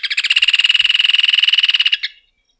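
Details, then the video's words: Rufous hornero giving a continuous, rapid rattling trill of bright repeated notes for about two seconds, fading out at the end. "Canto do João de Barro / Maria Barreira | Rufous Hornero | Furnarius Rufus"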